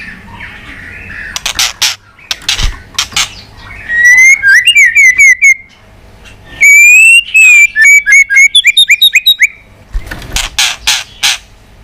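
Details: White-rumped shama roused to fighting song while flicking its tail: sharp clicking bursts, then two fast series of bright repeated whistled notes, and more clicks to close.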